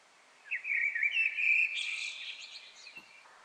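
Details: Eurasian blackbird singing from a chimney edge in a courtyard behind a Paris apartment: one mellow, fluting phrase of about three seconds ending in a brief higher twitter, with strong courtyard echo.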